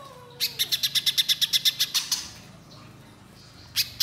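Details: Orange-bellied leafbird in full voice, long song phrases: a faint falling whistle, then a quick burst of rapid high chattering notes lasting about two seconds, quiet, and one final sharp note.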